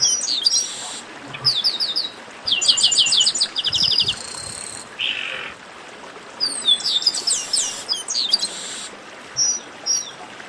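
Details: Chestnut-capped blackbird chorus for warming up singing birds. Fast rhythmic series of high chirps and buzzy rattles in several waves, several birds overlapping, with brief quieter spells.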